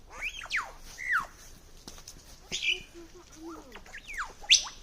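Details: Lyrebird mimicry recorded around Sydney, copying typing, toy guns and various birds: a quick run of sharp clicks, swooping and falling whistles, short chattering bursts and brief low tonal notes, ending in a high rising whistle.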